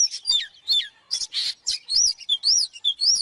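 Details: Oriental magpie-robin in fired-up song, used for training other birds to sing: loud, varied whistled phrases with sharp slurred notes and arched high whistles, delivered in quick bursts about every third of a second, no other sounds.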